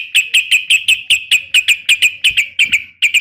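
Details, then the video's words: Female yellow-vented bulbul in nggaruda fighting style calling a male: sharp, bright notes repeated steadily about six times a second for the whole stretch, each with a clipped attack. "trucukan gacor SUARA NGGARUDA TARUNG ROPEL"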